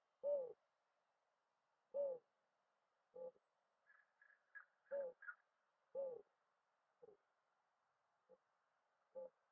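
Mourning dove giving soft, low, hollow coos, single notes about a second apart. A few brief higher chirps from another bird come in midway.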